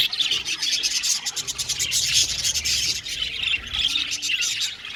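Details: Aviary flock of Australian budgies giving continuous chirps and chattering, many scratchy, high twittering notes overlapping into a steady dense wash of bird sound.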